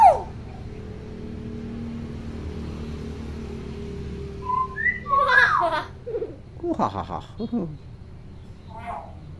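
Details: Clever tame hill myna mimicking speech and laughter: after a quiet stretch come short rising whistles, then a run of choppy, harmonic, voice-like syllables and giggle-like notes, with soft room hum.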